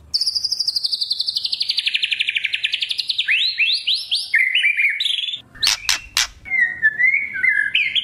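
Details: White-rumped shama kretekan lure: a long fast high trill dipping and rising, a series of short upswept whistles, loud sharp clicks, then lower warbled phrases.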